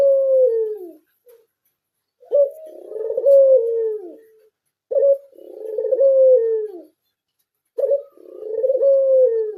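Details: Pied 'blorok' Barbary dove, a kept bird, cooing in a steady series. Each phrase opens with a clipped note, then a long throaty coo falling at the end, repeated about every two to three seconds, four phrases with quiet pauses between.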